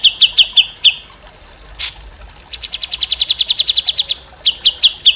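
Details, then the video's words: Grey-cheeked bulbul (cucak jenggot) tutor recording for other songbirds: spaced sharp high chip notes, then a fast even run of about fifteen repeated chips, then more spaced chips, with one brief broadband splash. "MASTERAN CUCAK JENGGOT"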